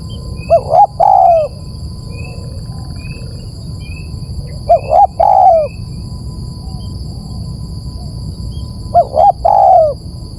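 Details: Dove coos played to lure birds, three phrases spaced roughly four seconds apart, each two short notes and a longer falling one, low and soft, with faint chirps and a steady electronic tone between.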